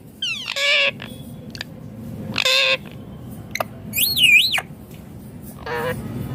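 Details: Ringneck green parrot producing buzzy speech-like syllables alongside a clear, wavering whistle that rises and falls, spaced irregularly with short pauses, over a soft background hum.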